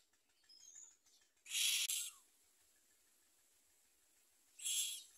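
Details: Baby common mynas at the nest beside their mother produce two raspy, hissing bursts several seconds apart over a quiet, faintly noisy background.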